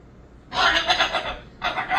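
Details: Pet Moluccan cockatoo giving a harsh, raspy, broadband call lasting about a second, then a second rough burst starting after a brief pause; quiet room background.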